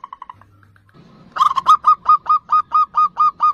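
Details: Perkutut (zebra dove) song: faint short notes, then a loud steady series of hooked whistled coos repeated roughly every fifth of a second.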